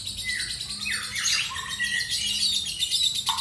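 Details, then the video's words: Caged lovebird singing ngekek, a rush of high grating chatter punctuated by descending squealed notes and a short lower squawk at the end. "LB MIAR NGEKEK 2 MENIT"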